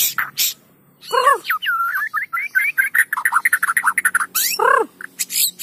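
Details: White-rumped shama singing, used to coax quiet shamas into song: an arched, falling whistle leads into a fast, looping string of slurred, warbled notes, then another arched whistle and sharp high chips.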